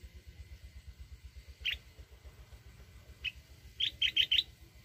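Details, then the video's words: Mountain red-whiskered bulbul giving wild-voiced song to stir decoy birds: two lone whistled notes, then a fast run of four bright rising whistles, over a soft low pulsing background. "chào mào núi@ hót giọng rừng kích bổi."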